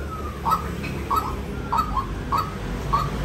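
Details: White-breasted waterhen calling with short, clipped notes near one pitch, repeated about every 0.6 seconds in a steady series, over a low background rumble.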